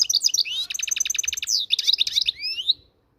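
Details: Moroccan goldfinch singing a quick, bright twittering song: high chirps, then a run of evenly repeated notes, then mixed warbling ending in rising slurred whistles. The background is quiet.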